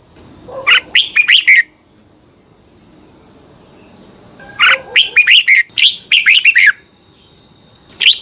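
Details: Song of a Red-whiskered bulbul played for training caged birds: a quick warbled phrase, a pause, then a longer run of chattering, slurred notes, with a continuous high-pitched hum throughout.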